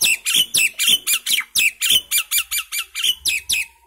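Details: A common myna sings a steady rapid chain of harsh, chattering squawks, some with whistled slurs, roughly four per second throughout.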